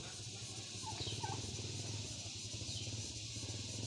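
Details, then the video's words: A turkey hen in a village in Nepal gives a rapid, throaty run of 'kor-kor-kor' notes over a steady low rumbling hum. "Turkey 🦃 Hen Sounding Kor Kor Kor"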